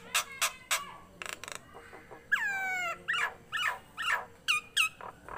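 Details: Tame caged Nias hill myna singing vigorously: sharp clicks, then a long loud whistle sliding downward, followed by repeated short yelping downslurred notes and a few upward flicks.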